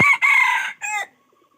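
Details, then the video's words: Crowing junglefowl: a strident, hoarse crow with a brief opening note, a long sustained buzzy middle and a short dropping end syllable, in a quiet setting. "Tiếng gà rừng rặc"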